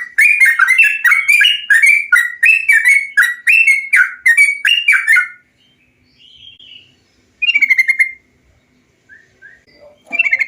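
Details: Bulbul song intended to stimulate birds into singing: a fast series of bright, bubbling warbled phrases for five seconds, then quieter whistled notes and a brief renewed burst of chatter.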